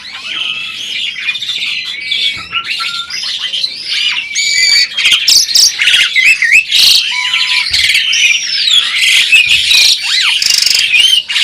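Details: Talking adult Asian pied starling from a breeding pair, pouring out a dense, fast run of rasping squawks, buzzy notes and looping whistles, varied and nearly continuous for eleven seconds.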